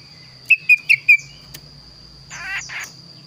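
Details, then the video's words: Energetic kaso-kaso bird singing its unusual, varied song: four quick whistled chips in a row, followed by a brief rough rustling burst, with a faint constant high-pitched hum behind. "burung kaso kaso gacor suara unik"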